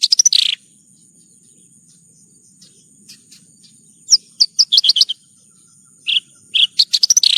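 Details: Branjangan (bush lark) song in a nonstop tutor recording: a dense buzzy burst, a long pause with soft ticks, then rapid sharp high chirps and a few lower whistled notes over a faint steady whine.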